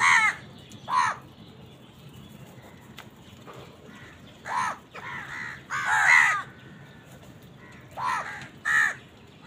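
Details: Loud, grating caws from crows battling wild birds for food, around eight calls in clusters, some doubled, harsh and downward-bending over a quiet background.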